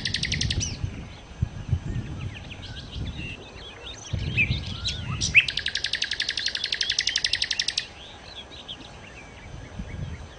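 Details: Nightingale singing continuously, used for luring birds: a brief rapid trill, scattered varied whistles and chirps, then a long, rhythmic burst of quick repeated pulses lasting over two seconds before quieter twitters resume.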